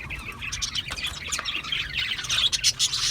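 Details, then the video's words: Budgerigars chirping: dense overlapping bursts of high, scratchy chirps and short twittering notes run without pause, with the level rising and falling; faint low rumble underneath. "Natural Parakeet Singing Birds | Parrots Chirping sounds"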